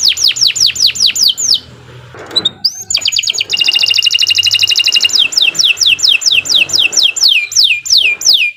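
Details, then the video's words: Domestic canary in full, persistent song, meant as a lure for juvenile or stalled canaries; quick falling whistles, a short pause with soft noise, then a rolling high trill followed by steady descending whistled notes. "Kicau Burung Kenari 80 II GACOR PANJANG Cocok untuk Masteran"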